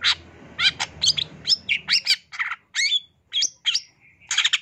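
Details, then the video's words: Long-tailed shrike singing a full master song. Scratchy chattering bursts alternate with clear slurred whistles in uneven phrases, ending in a brief rasping flourish. Low background noise fades after the first two seconds. "Kicauan Cendet No #1❗SUARA Masteran Cendet Gacor FULL ISIAN"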